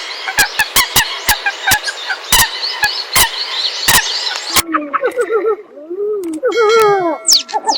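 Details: Eurasian coot calling: a dense run of sharp clicks and stacked nasal notes, then clearer arched, downslurred honking calls in the second half, several voices overlapping.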